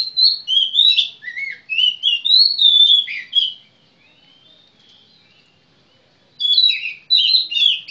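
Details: Oriental magpie-robin, known locally as kacer, singing a varied run of clear whistled phrases, rising and falling notes in quick succession, then a pause of three seconds before another burst of sweet warbling.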